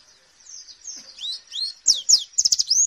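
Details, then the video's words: A white-eye gives a 2018 "nembak" training song of high, thin whistles that build into quick, loud bursts of sweet chattering notes, with several notes fired off per second near the end. "Masteran Pleci Nembak"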